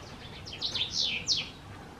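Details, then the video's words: A house bunting of the sahari race sings in a Marrakech riad, Morocco, 22 June 2024. It gives a short rush of clipped, descending chirps, growing louder and ending in two emphatic downslurred notes, over quiet background hiss. "House Bunting"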